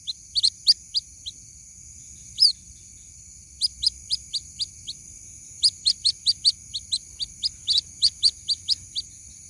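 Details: Chick of the white-breasted waterhen calling its mother: bursts of sharp, high, downslurred peeps in rapid series, separated by short silent gaps, with a continuous high electronic tone in the background.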